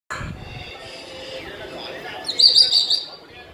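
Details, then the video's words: A 2-year-old pet African grey parrot in India gives a quick burst of high, fluttering chirps lasting under a second, after a quiet stretch of faint background murmur. "African grey parrot 🐦 making different sounds"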